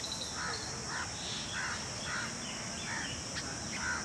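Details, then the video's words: A family of jungle babblers, caring for each other on 22 June 2021 and flying often between tree branches, give harsh, nasal squawks about every half second, several birds overlapping, over a steady high insect hiss. "Jungle babbler bird family caring each other"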